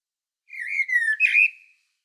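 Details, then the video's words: Common blackbird singing on Medvednica Mountain near Sljeme, Zagreb, Croatia: a short, clear fluted phrase of low whistled notes that slide gently downward, ending in a brief twittering flourish, with a quiet background. "Blackbird Song"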